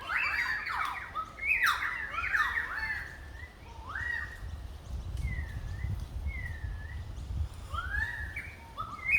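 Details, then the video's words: Currawong calling on the Gold Coast: loud ringing, yodel-like whistles and slurred rising and falling notes, in phrases spread across the recording, with a rumbling background of low noise. "Hibiscus Sounds | The Currawong"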